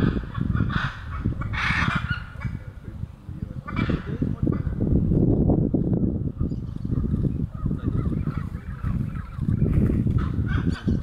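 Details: Flock of hyacinth macaws perched in a tree in Brazil's Pantanal at Jaguar Camp, 5 July 2019, giving loud grating screeches, several in the first four seconds and more later, masked by heavy low-pitched rumbling throughout.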